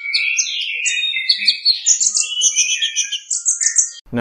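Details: An olive-backed sunbird (kolibri ninja) from Bali, held up as a contest-standard song rhythm, sings a fast, high, continuous run of thin twittering notes and slurred whistles, with varied fill-ins and louder prominent phrases.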